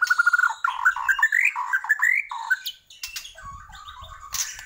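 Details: Bornean white-rumped shama singing energetically, opening with a fast run of clear whistled notes that step and bounce upward, then fading into softer, scratchier notes with low background thumps.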